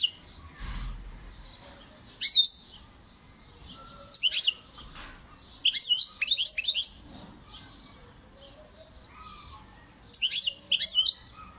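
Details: European goldfinch singing: bright, liquid twittering bursts high in pitch, delivered in short phrases separated by quiet pauses of about two seconds, with a cluster of rapid tinkling notes in the middle of the stretch.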